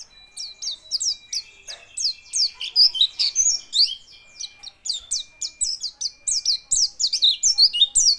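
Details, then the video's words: White-eye quivering as it sings a fast, continuous stream of high, sharp chirps and twittering downslurred notes, about two or three notes a second, with a faint steady high tone underneath. "pleci bunyi sambil geter geter"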